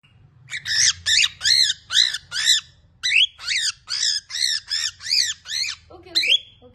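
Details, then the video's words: A pet lutino cockatiel throwing an angry fit, screaming a rapid series of harsh, arched shrieks, about two per second, with a brief pause near the third second and a short low squawk near the end. "Spikey throws a fit😌 #angry"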